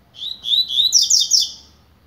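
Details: Double-collared seedeater warming up: several quick whistled slurs followed by a dense, rapid, buzzy twittering phrase at high pitch, the whole burst about one and a half seconds long in a quiet room.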